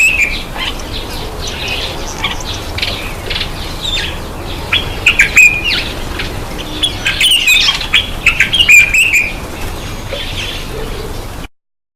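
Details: A bathing black-eyed bulbul chatters in a loose run of rapid, chirpy whistles, densest in the middle stretch, amid constant hissing noise; the sound cuts off abruptly near the end.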